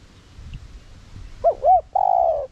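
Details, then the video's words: Spotted dove decoy cooing to trigger wild birds: after low background noise, a single phrase of two curved short notes followed by one long, level, mellow coo. "Chim cu gáy mồi cây Gù, Thúc giọng sát bổi kích bổi nhanh gáy/kích bổi gáy cực sung"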